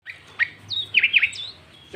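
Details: Sooty-headed bulbul in full, loud song used as a trapping lure, with inserted notes mimicking a green leafbird: a burst of bright, slurred whistled notes, several dipping and rising sharply, over a faint low hum.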